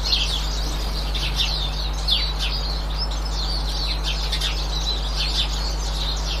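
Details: A flock of Eurasian siskins twittering on 18 March 2024, with thin, high chirps and short wheezy notes overlapping almost without pause, over a low, steady hum.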